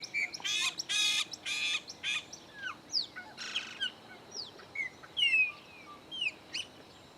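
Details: Three chopi blackbirds visiting a farm in the sertão of Bahia, Caatinga biome, Brazil: a busy run of harsh, broadband bursts mixed with clear, sharply falling whistles and short slurred notes, packed closely over several seconds.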